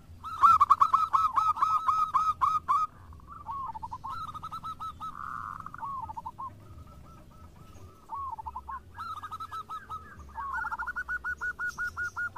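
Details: Local zebra doves in active song, answering one another: a loud opening run of quick ringing coos, quieter distant replies in the middle with a buzzy note, then another strong rapid series.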